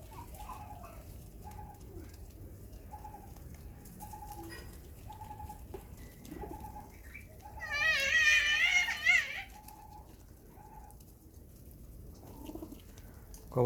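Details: Domestic pigeons (Columba livia), red pigeons at feeding time in a loft: short, soft, repeated coos with a brief burst of high, wavering chirps midway.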